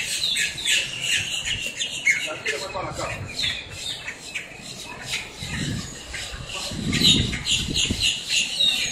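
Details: Noisy blackbird flock squawking in Miami, Florida: a constant tangle of high, harsh, overlapping calls, with low muffled rumbles rising under them near the end.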